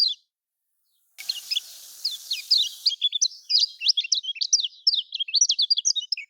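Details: Song of the lemon-bellied white-eye, typical of Lombok, meant to coax quiet caged birds into singing. A brief silence and a hissy stretch open, then sharp, high chirps build into fast, steady twittering.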